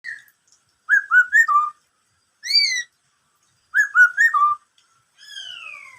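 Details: Black-throated laughingthrush singing in the "bắt cô trói cột" style: clear whistled phrases of three or four falling, slurred notes, spaced by silences, with a single rising note and a long descending whistle between. No other sounds.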